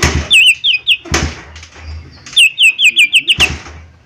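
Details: Lesser green leafbird used as a fast-response lure. Quick series of looping, repeated whistled notes in two bursts, framed by loud clattering knocks.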